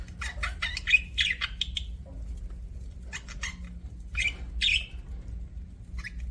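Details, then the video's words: Budgerigar chattering in quick rasping chirps, a busy run at the start, then separate squawky bursts later, over a low background hum. "BUDGIE CHIRPING SOUNDS"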